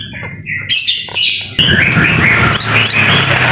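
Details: White-rumped shama singing in the rain as a training recording: a short pause, then a loud burst of rich notes followed by quick, repeated fluty whistles over a steady background hiss.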